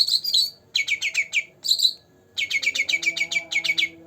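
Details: Green leafbird, a captive two-month-old, delivers a warbled phrase, then quick strings of crisp, high chirping notes after a brief silence. A faint low drone sits in the background.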